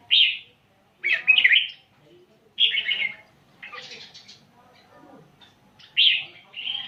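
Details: Caged red-whiskered bulbul from Vietnam in rapid song, delivering loud bubbling warbled phrases roughly every one to two seconds, separated by brief quiet pauses with soft lower murmurs between them.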